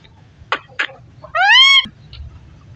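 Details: Parrot talking: two short breathy, noisy syllables, then a longer clear harmonic tone that rises slightly and falls, ending with a brief soft click, over a low rumbling background.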